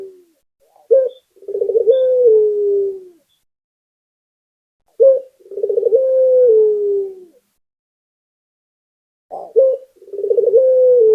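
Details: Local puter dove in full song, offered as a lure to get a quiet bird singing: three phrases about four seconds apart, each a sharp opening note, a bubbling rolled run, then a long smooth falling coo.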